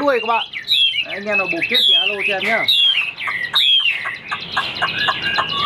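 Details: Caged Chinese Hwamei, roughly 95% tame and praised for its fine voice, tail held fanned; varied rich song mixing lower rolling notes with bright sweeping whistles and rapid chattering phrases, loud and close.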